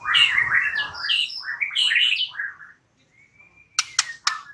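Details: White-rumped shama lure song meant to prompt a reply: dense, scratchy warbled phrases, a pause, one long thin level whistle, and a few sharp clicks.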